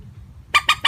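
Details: Plain, unvaried moorhen calling used to lure birds into traps: three short, loud, rasping notes in rapid succession after a quiet start.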